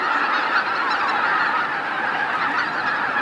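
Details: A large gathering of greater white-fronted geese coming in to roost at Miyajima-numa in Bibai, Hokkaido, Japan, 2016, heard as a steady, blended roar of countless distant honking voices merging into one wash of sound.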